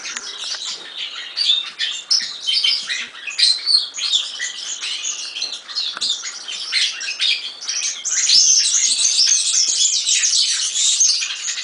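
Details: Song of the European serin, made of bursts of thin, fast, tinkling chirps that build into a continuous, louder high jingle toward the end.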